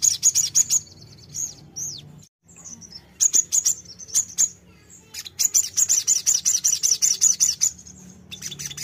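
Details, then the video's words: Sogon bulbul song for training a fighter bird to respond: clusters of high, piercing chips, a few slurred whistles, a short silence, then a long even run of rapid chips. "terapi mental sogon fighter pasti nyaut"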